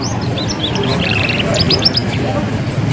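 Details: Young canary learning its ngeriwik song, played as a lure to stimulate young canaries to sing and answer: quick high chirps and short sliding notes in loose bursts, with a steady low rumbling background.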